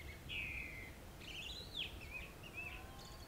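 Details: Summer-monsoon Grey-winged Blackbird in western Himalayan forest at Jabbarkhet, India: a sustained fluted whistle followed by rising and falling warbled notes and short trills, melodious and rich, with a low hiss beneath.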